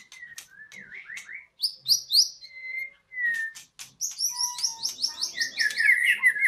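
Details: White-rumped shama singing at a breeding site in Indonesia: varied whistled phrases, short rising and falling slurs and sharp clicks, ending in a rapid run of repeated high notes.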